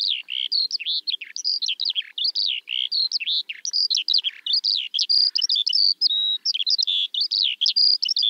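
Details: Eurasian skylark singing a long, unbroken stream of rapid, varied chirps and trills, high-pitched and tumbling up and down without pause.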